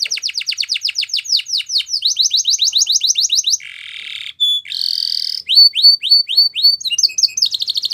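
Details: Canary singing fast repeated high swept notes, then a lower buzzy burst, a brief pure tone, a rich trill, and several falling whistles ending in another quick trill.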